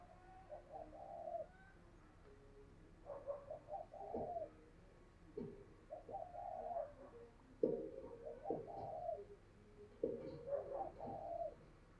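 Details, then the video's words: A decoy dove calls wild birds with a faint, distant cooing phrase of several soft low notes. It repeats about every two to three seconds over a steady background hiss and hum. "Chim Cu Mồi Thúc Gù Và GÁY Gọi Bổi Nghe Siêng Gáy"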